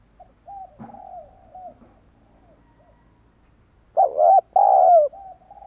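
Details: Spotted dove lure call to draw in wild doves: soft, distant coo notes at first, then a loud close phrase of a short rising coo followed by a longer drawn-out falling coo near the end.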